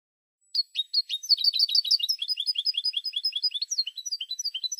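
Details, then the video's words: European goldfinch on a Spanish silvestrismo CD, Canton number 12: a long, lively, high twittering song of rapid liquid chirps, dense at first, then a steadier run of repeated notes, with no other sounds. "شريط حسون"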